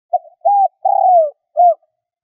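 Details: Decoy spotted dove cooing to attract wild birds. One clear low phrase: a brief soft coo, a steady note, a long coo slurring downward, and a short closing hoot, with a quiet background.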